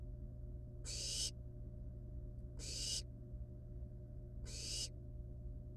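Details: Three harsh, noisy screeches, roughly one every two seconds, from wild barn owl nestlings at the nest while playing with a live rat before eating it; low background hum throughout.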